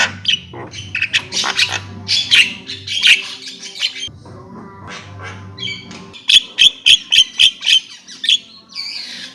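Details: Javan myna with mixed harsh squawks and chatter, a quieter stretch, then a quick run of about seven sharp repeated notes, with a faint low hum beneath.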